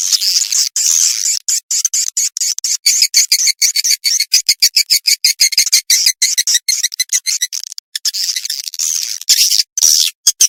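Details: Swiftlet calls played to attract swiftlets: dense, high, chattering twitters packed into quick bursts, broken by frequent abrupt gaps of silence, with no other sounds.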